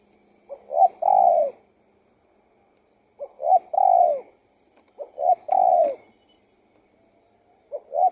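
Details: Spotted dove repeating its cooing phrase, two short notes and a drawn-out falling coo, four times about every two to three seconds, the last one cut short.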